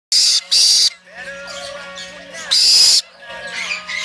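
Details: Tame hand-raised black-headed caique, born 10 April 2016, in a bird shop, giving loud, harsh, high screeches, two short bursts then another two seconds later, with softer warbling chatter and a low household hum.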